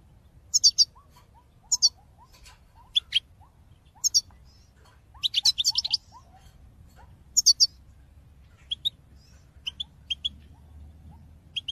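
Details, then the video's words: European goldfinch recorded in 2022, its call-song used to motivate other birds: bursts of high, tinkling twitters every second or so, with soft short rising whistles between them against a quiet background. "Top chant d'appel chardonneret pour motiver vos oiseaux"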